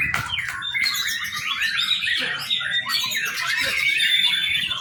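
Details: Young white-rumped shama, its song used as a lure to train other birds: a rich, continuous warble of varied whistled and chattering phrases, bright slurred notes sliding up and down at mid to high pitch, with no pauses.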